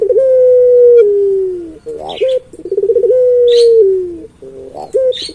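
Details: Diligently calling puter pelung, a Barbary dove: long level coos that slide lower at the end, separated by short rolling pulses and upturned notes, with small high chirps from other birds in the background.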